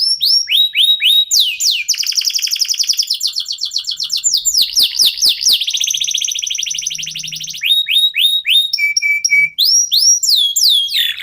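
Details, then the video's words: Local canary in full song, used to get other birds singing: bright rising sweeps alternating with long rapid trills and rattling buzzes, with a few steady whistles and more upslurs at the end. "KENARI LOKAL GACOR TOTAL, SEMUA IKUTAN BUNYI..PANCINGAN AMPUH BIKIN CEPAT GACOR"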